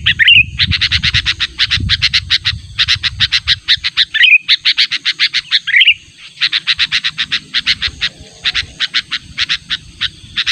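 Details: Lure call of a sooty-headed bulbul challenging a rival: long runs of rapid, evenly spaced harsh notes with brief warbled whistles between them, and low noise early on that fades away.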